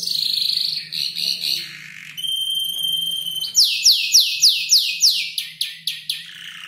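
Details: Five-month-old canary composing song from the calls of other birds: a buzzy high note, a steady pure whistle, then a string of loud descending chirps about three per second.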